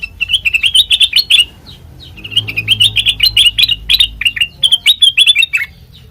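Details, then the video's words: A sooty-headed bulbul sings as a training lure for other birds: two lively bursts of fast, bright, twittering notes with a short gap between them, over faint low background rumble. "Suara Burung Kutilang Mas Sanget Merdu,COCOK BUAT PANCINGAN MASTERAN"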